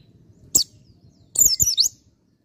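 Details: A dakun-type white-eye gives one high single chirp. Then it quickly delivers a rush of three or four high, falling, twittering notes in 'ngalas' style, over quiet background hum.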